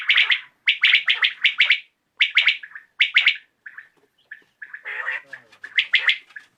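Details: Common quail calling at dusk: rapid clipped triple phrases repeated in close series, a few softer single notes and a harsher burst, then more triplets.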